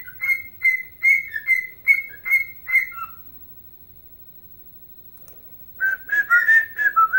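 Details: Pet bird whistling its rendition of the hockey anthem Chelsea Dagger: about eight clear, slightly rising whistled notes in a steady rhythm, a few seconds of quiet, then a quicker run of lower whistles.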